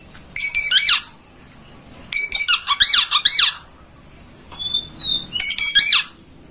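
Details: Oriental magpie-robin master song for prompting tail-opening song: three bouts of grating, buzzy chattering notes separated by quiet gaps, with a soft thin whistle between the last two.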